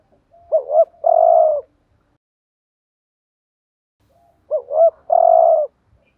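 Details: Spotted dove as a decoy for attracting doves, two phrases about four seconds apart, each a quick double-humped coo followed by a long low purring coo, otherwise silent.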